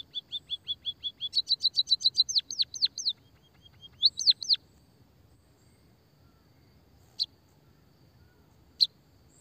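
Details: White-headed munia lure song, played to make reluctant munias sing. Evenly spaced chirps rise into a rapid doubled trill and then loud dropping whistles. After a short reprise, only two lone sharp chirps follow across a quiet stretch.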